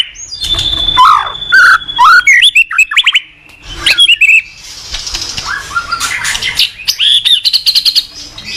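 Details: Captive white-rumped shama song meant for training young shamas: varied loud whistles, slurred notes and rapid chattering trills in quick succession, with short pauses between bursts.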